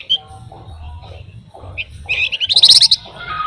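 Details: Pin-striped tit-babbler, called flamboyan, singing as a lure for songbirds: a few scattered high notes, then a quickening, loud run of repeated sharp trilled notes, over faint low background noise.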